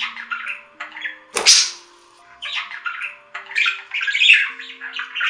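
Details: Budgerigar twittering in short, scratchy phrases, broken by a sharp click-like snap early on and a quiet stretch. A louder run of squeaky warbles follows, with faint tonal hums behind.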